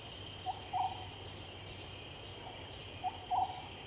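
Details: Oriental scops owl recorded at night giving two hollow, low phrases, a single note then a rapid pair, against continuous high insect buzzing.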